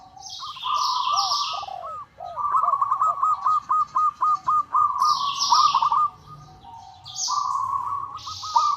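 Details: Local zebra dove calling to a rival, a call used as a lure: rolling trills and a run of evenly spaced hooked notes, lower arched coos overlapping early on, and loud high chirping from other birds throughout.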